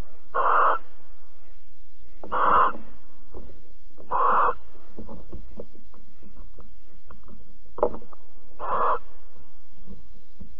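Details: Barn owls mating and cuddling at Alphen, 22 April 2020: five breathy rasping hisses roughly every two seconds, with soft clicks and rustling between them and a low steady hum.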